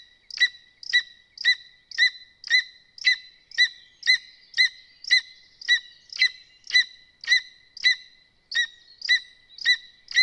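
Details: Lesser spotted eagles at a nest in Zemgale on a live nest camera, with chicks, the mother feeding, and the father arriving with prey. Sharp high yelps repeat about twice a second in a steady series over a faint constant high tone.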